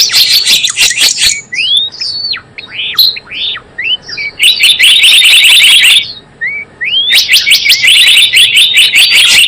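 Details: Java sparrow trapping lure: loud rapid chips open, then a run of separate upward-swept whistles, then more dense chattering bursts of sharp repeated notes with a brief pause between.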